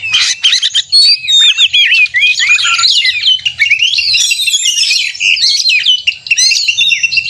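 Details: Extended 'konslet' song of an Oriental magpie-robin from a contest simulation meant to stir a caged bird: restless mix of sliding whistles, chatter and trills, phrases rising and falling in quick alternation with brief gaps.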